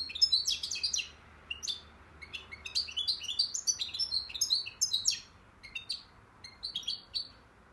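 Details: European goldfinch from Akhisar, Turkey, singing a rapid, lively twitter of bright chirps, buzzy notes and short trills, delivered in dense bursts with brief pauses near the second and sixth seconds; no other sounds stand out.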